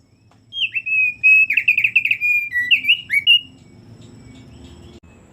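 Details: Energetic thick-billed heleia song: a continuous, rapid tumble of slurred, buzzy-edged whistles lasting about three seconds, then quiet with low background rumble.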